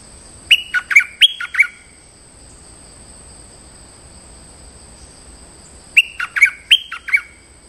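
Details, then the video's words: Stripe-throated bulbul calling as a lure for the local territorial bird: two phrases of four or five sharp, bubbling whistled notes, about five seconds apart with quiet between, and a faint steady high hum throughout. "ร้องเรียกเจ้าถิ่น Suara pikat merbah lekir gacor"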